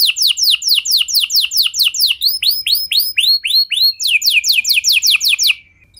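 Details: Canary song played as a lure to set other canaries singing: quick repeated falling notes, then a run of softer upward-curving phrases, then a rapid sweeping trill that stops abruptly.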